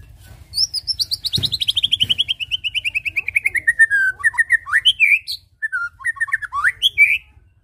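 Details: White-rumped shama singing, a recording used as a lure for birds: a long descending series of rapid repeated notes sliding from high to lower pitch, followed by varied whistled and upslurred phrases.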